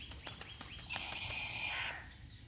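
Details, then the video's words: Chattering lory being bathed, said to love the water, letting out a harsh drawn-out screech after a few sharp clicks, with splashing and faint background sounds. "chattering lory Nama kasih mandi"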